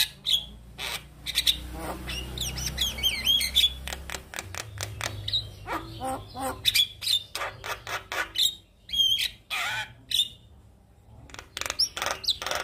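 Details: Singing male Javan myna, offered for other mynas to learn from: loud grating squawks, rattles and clear whistled notes in rapid, varied bursts separated by short gaps, over a steady low hum.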